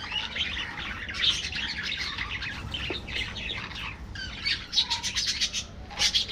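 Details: Budgerigars in an aviary colony: a continuous mesh of rapid, high chirps and twittering warbles, broken by sharper squawky bursts toward the end, with several birds calling over one another.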